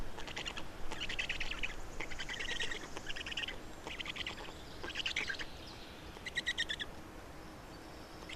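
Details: Black storks at a nest in Estonia during feeding, 27 May 2019 at 10:39; short bursts of rapid, chattering pulsed calls, six or seven bursts, each under a second, with brief quiet gaps between them.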